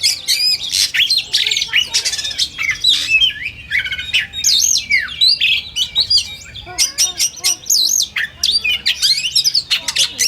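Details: Singing oriental magpie-robins in a simulated song contest, a rich nonstop stream of bright whistles, rapid up-and-down slurred notes and clicking chatter layered on top of one another.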